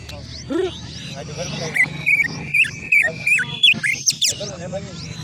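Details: Greater green leafbird master song used for bird training: after a man's brief speech, a run of sharp whistled notes and chirps, some rising and falling quickly, delivered in quick succession.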